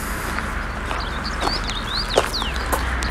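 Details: A Common Rosefinch singing by a roadside gives a few clear, slurred whistles that rise and fall, over a steady rumble of road traffic.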